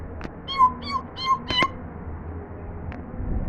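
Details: African grey parrot trying to talk for the first time: three short, tonal, harmonic notes in a quick series, followed by two sharp clicks. A faint low hum sits underneath.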